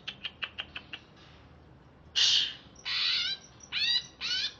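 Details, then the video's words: Greater green leafbird, caged, wild-caught stock from Alas Purwo, Banyuwangi, just bathed: a series of soft evenly spaced ticks, then several loud harsh buzzy rasping bursts, each about half a second long. "Cucak Ijo Alas Purwo Cerewet"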